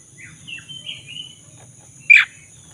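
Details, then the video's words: Black-throated magpie-robin singing actively, a lure meant to restore a bird that has stopped singing: soft warbled whistles followed by one loud harsh chirp, with low background hum. "Pancingan kacer dada hitam gacor - pulihkan kacer macet bunyi"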